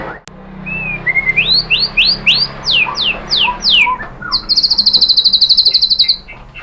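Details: White-rumped shama song used to provoke a shama to answer: a row of rising whistled upsweeps repeated roughly every third of a second, then a long, very high, rapid trill.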